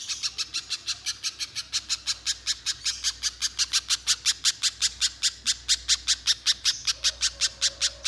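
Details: Little spiderhunter in full song, used to bait other spiderhunters into singing long, pours out a long, relentless series of about forty sharp, shrill chips, roughly five per second, steady throughout.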